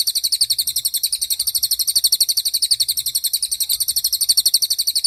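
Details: Tutor recording of a cililin for young and molting songbirds: an unbroken, piercing, high rapid trill of rhythmically pulsing notes throughout.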